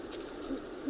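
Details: Great Horned Owls, two birds calling back and forth, probably a male and female pair duetting, one higher pitched: soft, deep, hollow hoots heard faintly over a low hum.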